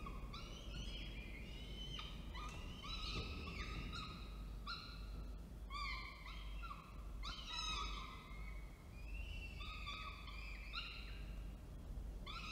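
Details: Falcon in Orange, New South Wales, 19 October 2024, with the male arriving with food and the female feeding. Long run of excited, harmonic whining and wailing notes in overlapping bursts, with steady low background hum.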